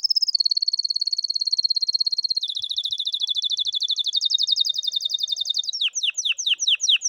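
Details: Song of a canary used as a tutor for young canaries that do not sing: a long, rapid, even trill that drops slightly in pitch, ending in sharp descending repeated notes.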